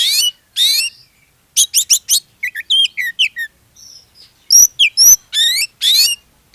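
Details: Kacer, Oriental magpie-robin, giving a lure song to make others sing: harsh buzzy bursts, quick rhythmic chattering note series, soft whistles, then loud sharp whistled notes and more rasping phrases.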